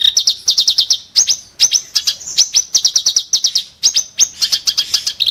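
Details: Sharp, harsh song of the kerak basi, the clamorous reed warbler: quick volleys of clipped, chattering notes in rapid series, each burst lasting under a second, with short gaps between them.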